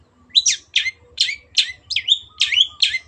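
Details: Cendet (Long-tailed shrike) singing hard on a master track for birds to imitate. Seven buzzy, rasping notes roll out at a steady pace of about two per second, some ending in a drawn-out whistled tail.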